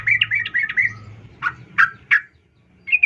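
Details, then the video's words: Female sooty-headed bulbul calling to a male: a fast bubbling chatter over low background hum, then three separate sharp downslurred notes and a brief bright note at the end. "trucuk Betina memanggil jantan"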